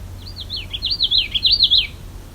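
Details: Common Yellowthroat singing very close for several minutes beside a lake on the Bruce Peninsula, in summer: a quick rolling run of high, slurred notes repeated five or six times in two seconds, over a faint low hum.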